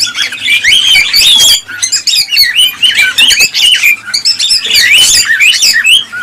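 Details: Several cockatiels calling in breeding-stimulation sound: lively overlapping chirps, squawks and looping whistles, nearly unbroken throughout.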